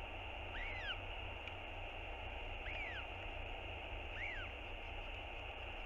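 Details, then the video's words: On a nest camera on 7 March 2022, a northern royal albatross chick keeps begging its father for a meal: three clear arched whistles, rising then falling, roughly every 1.8 seconds, over loud steady wind. "小信覺得很餓~不停跟爸爸索食 QT feels very hungry"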